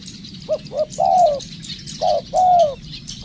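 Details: Spotted dove, a decoy bird in training, giving mellow coos: a short note followed by a longer, slightly falling note, repeated in pairs, with faint high chirping and insect-like buzzing in the background.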